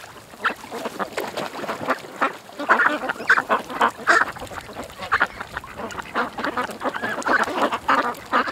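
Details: A flock of ducks at a creek quacks steadily, the calls growing denser and louder after the first few seconds, one over another.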